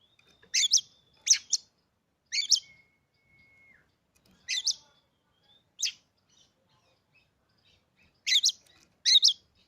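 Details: Newly acquired captive Oriental magpie-robin, singing to provoke others: scattered harsh, buzzy double bursts at irregular intervals, one followed by a long level whistle, with quiet pauses between phrases.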